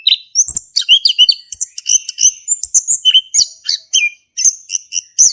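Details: Lively male orange-headed thrush song of the ngeplong type, meant to stimulate another thrush to sing; continuous stream of high chattering notes and clear whistles, rising and falling, nearly without pause.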